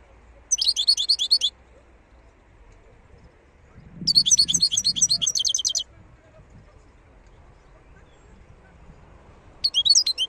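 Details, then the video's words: Three bursts of fast, high, tinkling twitter from a wild European goldfinch, each about one to two seconds long with pauses between them. A faint low murmur sits under the middle phrase. "صوت الحسون البري (خلوي) chont chardonneret"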